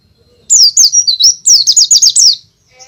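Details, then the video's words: A white-eye singing loudly at full strength, a recording used as a lure for unschooled birds: a brisk stream of high, swooping, trilled notes for about two seconds, then quiet with a faint chirp. "pleci gacor ngalas suara keras cocok untuk pancingan bahan"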